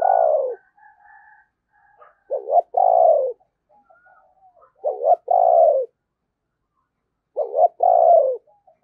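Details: Spotted dove kept as a decoy at Tet to attract wild doves: rhythmic series of throaty phrases, stammered double note then long falling coo, repeated roughly every two and a half seconds with soft murmurs between.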